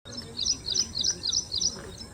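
An Ashy Prinia sings a quick run of five bright, high, twangy chirps, about four each second, over a soft steady background hiss.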